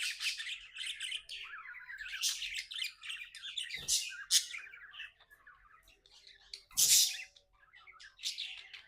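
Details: Pet budgerigars chirping happily: a lively stream of buzzy warbles and rapid squeaky chirps, with two short knocking thumps and a loud harsh burst partway through.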